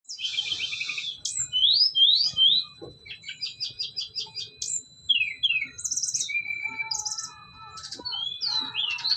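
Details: Brown-chested jungle flycatcher, a caged bird native to Bali, singing persistently during a mental test: a fast, varied run of high whistled slurs, rattles and chirps, with a dense buzzy note at the start and rapid repeated notes.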